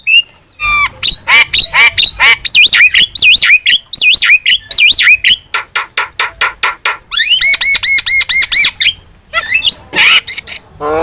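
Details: Lively cage starling chatter meant as training song for other birds: loud, dense string of looping whistles and rapid repeated harsh notes, with one stretch of evenly spaced ringing, alarm-like pulses before more scratchy bursts.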